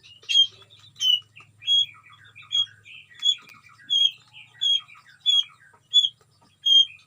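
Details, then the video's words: A captive white-rumped shama sings in a colony breeding cage, repeating a short high sharp whistled phrase with trailing chirps about every half second to second, over a faint low hum. "murai gacor di kandang koloni Suara aneh"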